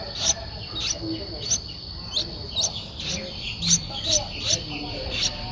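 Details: Streak-eared Bulbul nestling aged eleven days, Ubon Ratchathani, Thailand, April 2023; about ten short, piercing high chirps at irregular intervals, set against a steady shrill background tone.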